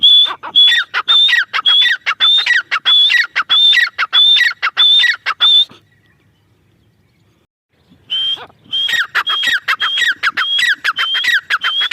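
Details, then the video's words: Female teetar, or grey francolin, giving long runs of regular harsh calls, each a high level whistle followed by a falling squeal, a pause of silence separating two series. "Dakhni teetar awaz | teetar voice | female teetar sound | teetar ki boli"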